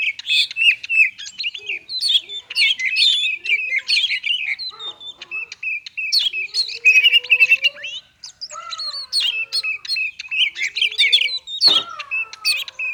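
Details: Oriental magpie-robin in konslet singing style, played to coax lazy singers; a long, continuous barrage of rapid varied chirps, rattles and whistles, briefly dropping away midway before building again into dense twittering.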